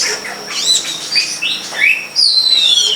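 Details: Long-tailed shrike (cendet pilis) in the crown of a coconut palm behind a house: squeaky chirps and upslurred whistles, then a long clear whistle sliding gently downward.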